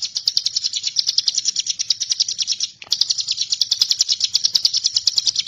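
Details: Bar-winged prinia (ciblek gunung) singing as master tutor song for magpie-robins: a long continuous high rattle of quickly repeated sharp pulses, briefly broken near the middle, then resuming at the same pace.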